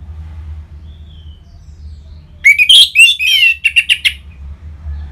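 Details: Orange-headed thrush song used as a lure to prompt caged birds to answer and sing: a short burst of rich, high whistled and warbled phrases with quick trills, ending in a few clipped repeated notes, over a low steady hum.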